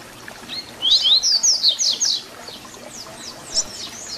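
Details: Double-collared seedeater (papa-capim) singing the Tui Tui Zel Zel fibra style used to tutor young birds: a quick burst of high, sweeping, slurred whistles repeated rapidly for about a second, followed by fainter trailing notes against a soft hiss.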